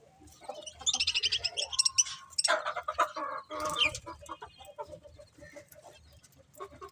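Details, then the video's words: Budgies kept as pets give rapid pulsed chatter, then a grating, buzzy warble with a few sharp, sliding chirps, fading to scattered soft clicks. "Cute Budgies Chirping Sounds"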